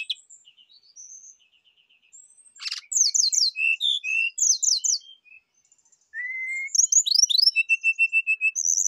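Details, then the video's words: Rufous-chested flycatcher song, used as a lure and therapy recording to prompt kept birds to sing: thin high whistles, then buzzy slurred phrases and sharp downward notes, a clean whistled note, then a quick evenly repeated trill of short notes. "PANCINGAN DAN TERAPI SRDC AGAR CEPAT BUNYI BONGKAR ISIAN"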